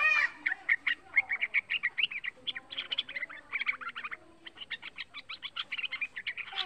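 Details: Young yellow-vented bulbul, a pet songbird, singing nonstop as a lure to set other bulbuls singing: rapid runs of sharp chirps in clustered bursts with short gaps, bright and chattery throughout.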